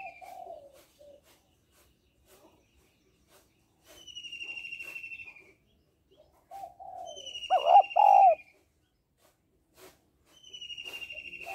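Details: Female spotted dove calling to stimulate males: soft low coos early on, then one loud doubled coo near eight seconds. Another bird gives a high, buzzy, slightly descending trill three times. Otherwise mostly quiet.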